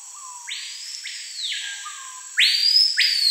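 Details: Screaming piha singing in the Amazon rainforest: a low soft note, then a loud sweeping whistle jumping sharply upward and holding, repeated, the second phrase louder and closer, with a steady high insect drone behind.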